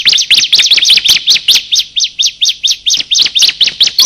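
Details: Bar-winged prinia, male and female, calling as a lure for wild birds: a rapid, steady stream of high, sharp chirps repeated about twice per second, bright and insistent throughout.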